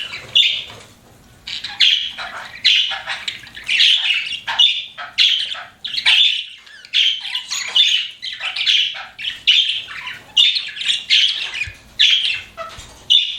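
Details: Pet budgies chirp steadily, a long stream of rapid, harsh squawky chirps repeated roughly once a second with brief gaps.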